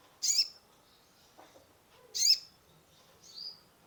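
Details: Sunbird (kolibri ninja) song played to rouse a stressed caged bird; two sharp, very high chirps about two seconds apart, followed by a thinner falling whistle, with low background hum.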